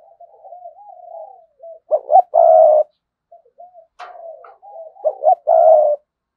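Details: A decoy spotted dove coos in the sa gù and thúc bổi manner. Gentle warbling murmurs lead twice into a sharp stuttered note and a strong drawn-out coo.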